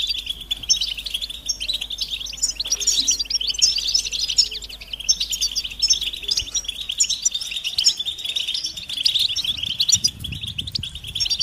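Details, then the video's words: Continuous rapid twittering from European goldfinches, mating and readiness calls played to prompt quiet males to sing, high and jangling throughout with a faint low rumble near the end. "بتبتة الحسون علاج سكوت الحسون نذاءات التزاوج والتجهيز"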